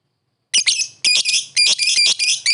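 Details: Lovebird calling to a rival: harsh, buzzy, high-pitched squawks delivered in rapid bursts of two or three notes, each burst about half a second long, repeated roughly every half second with no other sounds.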